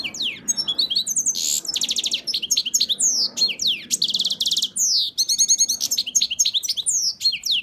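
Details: Parva goldfinch crossed with a canary in full song: a fast, varied stream of sweeping slurs, rattling trills and sharp chirps, phrases changing every second or so with barely a pause.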